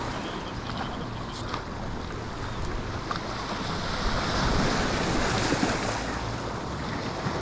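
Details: Surf and wind roar over open water, a steady broadband wash with gusts of microphone wind noise and no animal calls.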